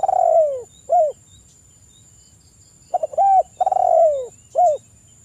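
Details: Spotted dove coos, used as a lure to stimulate calling: a long rolling coo sliding downward and a short arched note, then after a pause quick stutter notes, an arched coo, another descending rolled coo and a brief hooked final note.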